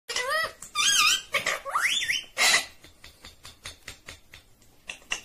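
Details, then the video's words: Green Indian ringneck parakeet talking, natural sound: rich harmonic, wavering and rising voice-like notes packed into the first two and a half seconds, followed by scattered short clicks and soft rustling in a small quiet space. "Natural Sound of Talking Ringneck green parrot 🦜 Original audio 😯 Indian Ringneck Parrot"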